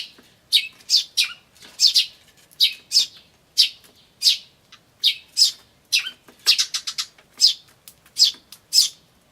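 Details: Tree sparrow chicks chirping "chi chi" while adults call in varied ways, May 2013: busy sequence of sharp high chirps, singles and quick doubles, tumbling on without pause.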